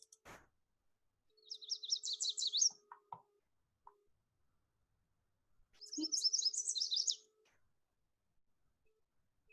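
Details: Yellow Warbler (Setophaga petechia) song, given the mnemonic 'sweet sweet I'm so very sweet': two bright, high, rapid phrases of sweet whistled notes, about 1.5 seconds each, rising then accented at the end, with a faint hum and clicks between.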